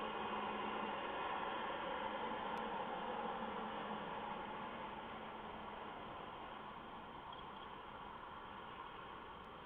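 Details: Continuous muffled static hiss inside a nest box at 8:42 PM, with two sharp clicks and no animal calls.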